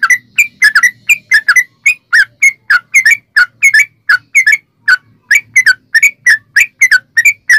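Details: Sooty-headed bulbul song used as a lure to make other bulbuls sing: a rapid run of short, bright whistled notes around mid pitch, many paired, repeated steadily with brief gaps throughout.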